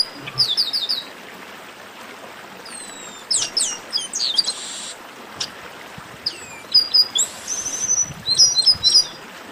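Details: Chestnut-capped blackbirds in a busy chorus, used to excite singing birds: scattered bursts of high chirps, sliding whistles and short buzzy notes, separated by quiet stretches.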